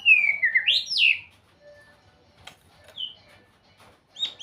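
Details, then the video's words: White-rumped shama singing sweetly: loud swooping whistles that dip and then leap upward, followed by quiet gaps, a short high whistle and a faint closing note. "เสียงนกบินหลาดง ร้องเสียงเพราะ"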